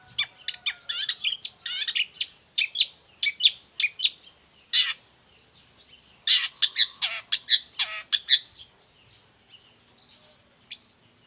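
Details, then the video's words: Long-tailed shrike in energetic song, suited as a tutor and lure for other shrikes: rapid bursts of sharp, high chirps and scratchy notes in clustered runs, pausing briefly between flurries, with a faint steady high hiss behind. "Cendet gacor cocok buat masteran juga pancingan cendet lainnya"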